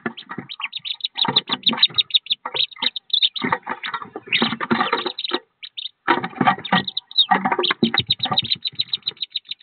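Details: Thirteen wood duck ducklings inside a nest box about 15 feet above ground, about to leave: rapid series of shrill peeps repeated throughout, over loud rustling and scrabbling of small feet against the box.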